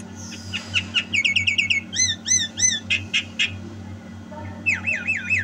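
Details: Javan myna in energetic song: quick chirped notes, clusters of hooked whistles, harsh bursts and a closing wavy whistle, all over a steady low hum.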